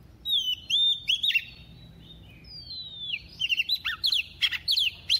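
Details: Female white-rumped shama singing to excite males, a double-voiced song: clear whistled phrases near 4k sliding and rising, then a break, followed by rapid sharp repeated chirps and trills, with a faint low hum beneath.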